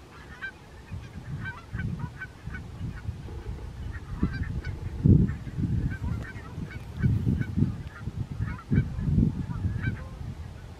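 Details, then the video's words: A flock of barnacle geese at Strijen, South Holland, the Netherlands, on 4 November 2024 keeps up a busy chatter of short, yapping honks, many birds calling over one another in a steady, overlapping din. "Barnacle Goose"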